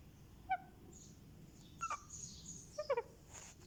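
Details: One-month-old Indian ringneck parakeet chick, hand-held and getting a head massage, gives three short, soft, squeaky calls with clear overtones, spaced about a second apart, over quiet room hiss.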